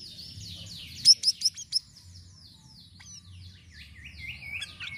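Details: Sirisiri bird song used as a lure for catching birds, with varied notes: clear whistled downslurred sweeps and a burst of four sharp, loud chips, then rising and falling whistles, over low background hum.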